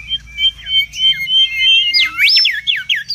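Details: Mangrove whistler in the wild, noisy song for luring and tutoring: long, level, pure whistles overlapping each other, then a quick burst of loud swooping notes.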